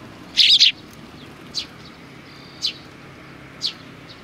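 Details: Sparrows recorded 29 May 2019, a loud double chirp followed by three single spaced chirps about one second apart.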